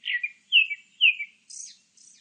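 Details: Grey-backed thrush singing: three clear whistled phrases, each a loud slurred note falling into a lower tail, spaced about half a second apart, then two thin, very high squeaky twitters. Quiet background.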